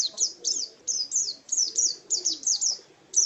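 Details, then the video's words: Pet pleci white-eye in champion gacor song, sharp high chirps sliding downward in pairs and triplets, separated by short pauses, roughly one and a half bursts per second. "Birds Chirping Pleci Master Joss Chirps"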